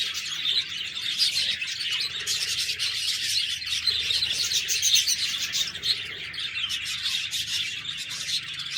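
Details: Chattering budgerigars give a continuous mix of bright chirps, rasping notes and rapid warbling, with several overlapping voices at a fairly even level.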